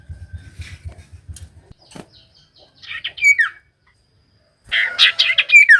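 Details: Common iora song meant to get lazy birds singing: soft low fluttering pulses first, then two bursts of chirpy, slurred whistles separated by a brief silence.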